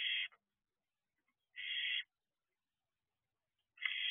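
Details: At night in an owl box, a barn owl about two months old lets out breathy, harsh hissing screeches, each about half a second long, roughly every two seconds.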